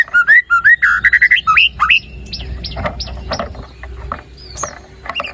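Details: White-rumped shama used as a singing lure: a quick sequence of rich whistled notes in the first two seconds, followed by quieter scattered chirps over low background noise.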